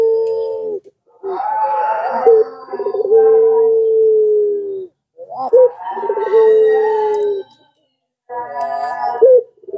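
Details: Pelung-type Barbary dove cooing as a lure for reluctant doves: overlapping voices give a rolled opening and then long, steady, low hums lasting several seconds, repeated three times with short silences between.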